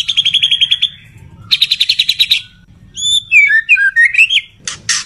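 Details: Courting male white-rumped shama singing to a female. Two rapid even trills come first, then a tumbling series of varied whistles and a few harsh buzzy notes.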